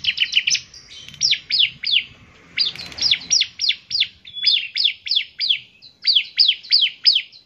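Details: Energetic bar-winged prinia song of rapid high chirps, each sweeping downward, delivered in tight repeated clusters with short gaps, nearly continuous over the recording.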